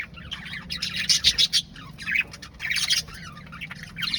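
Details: Parrot singing: a dense stream of harsh, scratchy chattering notes mixed with brief whistles, coming in bursts with short lulls, over a low background rumble.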